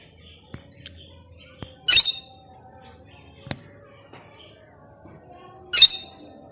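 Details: Plum-headed parakeet giving two loud, harsh, high squawks about four seconds apart against a quiet background with faint clicks.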